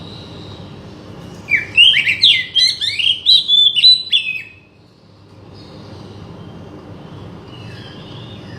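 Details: Oriental magpie-robin singing, used to stir a non-singing bird into song: a dense burst of rapid chirps and sliding whistles for about three seconds, then quiet background hiss with faint distant whistles.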